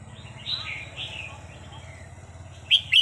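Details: Red-whiskered bulbul training song: soft warbled phrases around the start, then two loud, sharp chirped notes close together at the end over a low steady hum.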